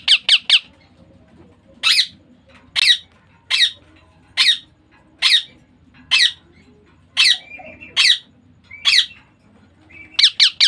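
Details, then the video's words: Baby Indian ringneck parakeet repeating harsh, clipped squawks roughly once a second, with quick triplets at the start and end, about fifteen calls overall. "Baby parrot sound Ringneck Parrot natural sound."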